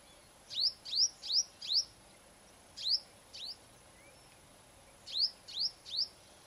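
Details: A female purple-rumped sunbird sings at home in the morning, giving rapid, sharp, high-pitched chipping notes in bursts of four, then two, then three, each note a quick thin sweep, against a quiet background.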